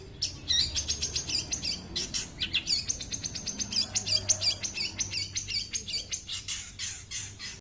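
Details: Long-tailed shrike imitating small birds with a fast run of high, clipped chirps repeated about three times per second, sometimes slurred or doubled, forming a lively twittering stream over a soft low rumble.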